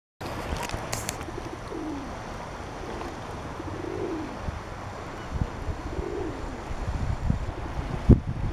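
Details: A black swan at Bray gives three soft, low, crooning notes that rise and fall, about two seconds apart, over steady rumbling wind or water noise.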